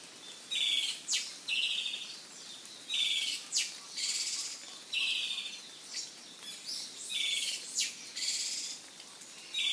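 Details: An Izu thrush, a Japanese island-forest endemic, sings short, scratchy high phrases with a brief clear note, repeated every second or so against a quiet background.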